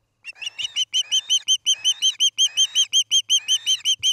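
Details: Osprey at a nest near Charlo, Montana, filmed by nest camera on an August evening in 2018: a rapid run of sharp, whistled chirps, about five each second, steady and even, with brief rustling bursts between some notes.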